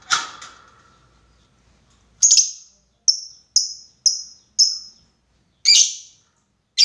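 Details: Lovebird calling a rival in a lure of long ngekek calls: a faint harsh opening, then a run of short, shrill, high chirps about half a second apart, ending with rougher screeches.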